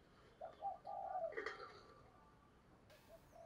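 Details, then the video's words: Decoy spotted dove giving its urging coo, meant to provoke and lure wild doves: soft, low, hollow cooing notes, two brief ones followed by a longer drawn coo, fading into quiet room tone. "Chim Cu Mồi Thúc Gù Bài Bản Sung Chuẩn Kích Bổi"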